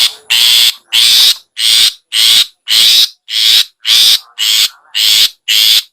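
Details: Long-tailed shrike in ngetet style, used to spur caged shrikes that sing sluggishly. Loud harsh rasping bursts, each about half a second long, repeat steadily nearly twice per second.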